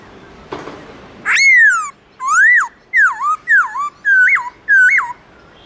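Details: Black-throated laughingthrush singing its wild-style song in the morning: six loud, clear whistled phrases, each a rising-then-falling slur or a sharp upturned note, separated by short pauses, after a brief soft rustle at the start.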